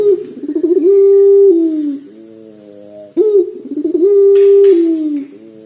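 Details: A gacor Barbary dove repeats its long pelung-style coo twice: rolling, trilled start, sustained low tone sliding downward, quiet low notes in between, and one brief burst of rustling near the end.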